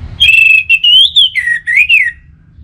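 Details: Orange-headed thrush from Singaraja, Bali, sung to coax other birds into song: a loud run of about five clear whistled notes, some rising, some falling, close and clean.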